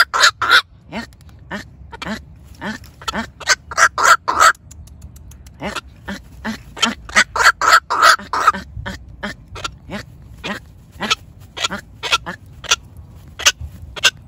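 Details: Decoy black-crowned night heron calling the flock: a long series of loud, rasping quacking croaks, often doubled or in bursts of three, with brief pauses between bursts and a low background rumble.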